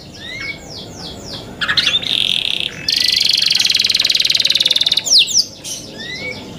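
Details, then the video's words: Song of young canaries: soft scattered high notes, then a loud, fast buzzy trill held for about two seconds, followed by a few sharp falling chirps. "MEDIOUS SONG OF YOUNG CANARIES"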